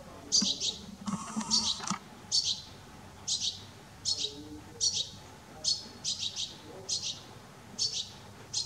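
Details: Juvenile Eurasian goldfinch calling repeatedly: bright, high, twittering chirps in quick pairs and singles, roughly every half second to second, with a brief rustling disturbance near the start.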